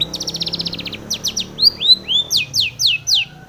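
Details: Female long-tailed shrike singing in the morning, used as a lure to calm and stimulate caged shrikes: a fast run of about ten sharp chattering notes, then varied high downslurred whistles and sweeping notes, ending with four loud descending slurs.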